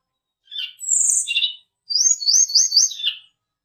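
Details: Used as a lure call to provoke fighter birds, this mountain tledekan song gives a shrill high squeal, then a bright wavering whistled trill of about four pulses dropping into a lower note.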